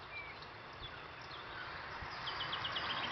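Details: Common nightingale singing at Bidalite, Torsås municipality, southern Kalmar County, Sweden, on 7 May 2017; a few thin whistles, then a quick run of about six repeated high notes over a steady broad hiss.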